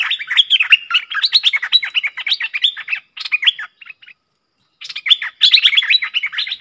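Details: Streak-eared bulbul pair locked in an intense song duel, recorded 30 October 2021 for luring: long overlapping strings of warbled, bubbling notes, a pause of about a second, then the chatter resumes.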